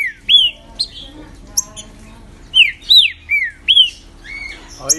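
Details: Green-winged saltator in captivity pours out loud arched and falling whistles in two phrases, interspersed with thin high chips and a brief buzzy note near the end.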